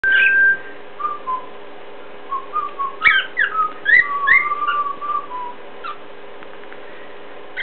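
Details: A pet cockatiel copies the calls of another cockatiel it looks up to, giving a run of clear, varied whistles, some sliding up and down and some short and chirpy, in a quiet room.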